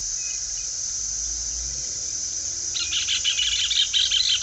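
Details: Rufous hornero (Furnarius rufus) song: a loud, rapid chatter of sharp, ringing notes in the last two seconds, over a steady high insect-like hiss.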